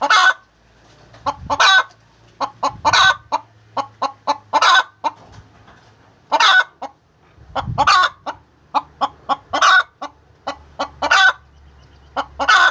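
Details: Hen cackling during egg-laying, long bursts of rapid short clucks and rough drawn-out squawks, with low thumps and a faint steady hum beneath.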